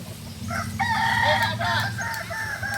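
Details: Solok, West Sumatra native Kokok Balenggek rooster crowing at practice: a steady harmonic crow broken into several wavering syllables, fading into softer trailing notes over a persistent low hum.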